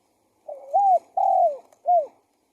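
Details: Spotted dove decoy cooing, one three-part phrase: a wobbling rising note, a sustained downward-gliding coo, and a brief closing coo, soft and hollow-toned against a quiet background.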